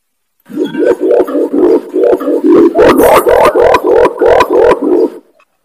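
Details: Imperial pigeon, also called kumkum, used as a loud, clear lure to call wild birds: a rapid run of about fifteen deep, hooting notes, roughly three per second, with harsh clicking edges between the notes.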